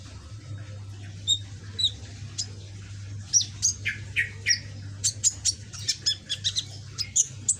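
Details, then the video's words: Juvenile caged ninja sunbird with red-green back, learning to sing, starts with a few spaced high chirps, then speeds into a rapid series of sharp, piercing notes and short twitters over a low hum. "Burung Kolibri ninja punggung merah ijoan gacor"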